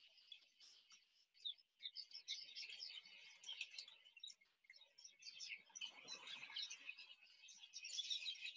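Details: Huge flock of Red-billed Quelea, hundreds of thousands filling a leafless tree and coming down to drink at a waterhole in Namibia in late afternoon: a dense, continuous chorus of high chattering chirps rising and falling in waves with no pause.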